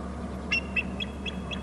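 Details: Eagle at a Hornby Island nest territory, a second eagle arriving on a short left branch while both call: a run of five thin, high chirping notes, evenly spaced about a quarter second apart, over a steady low electrical hum.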